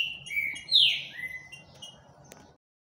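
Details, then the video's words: Green-winged saltator singing a lot: loud overlapping whistles, one sweeping sharply down and another gliding lower, over a steady noisy background that cuts off abruptly. "trinca ferro Shaolin cantando muito"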